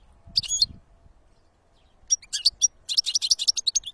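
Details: Wild European goldfinch in nature: a brief high twitter, a pause, then a quick run of bright, tinkling chirps and trills, with little background noise.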